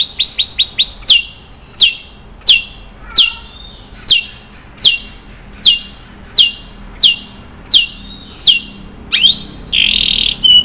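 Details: Long-tailed shrike in 'isian mewah' song. It opens with a quick run of short high ticks, then gives regular downward-sweeping notes about every 0.7 seconds, ending in a harsh burst.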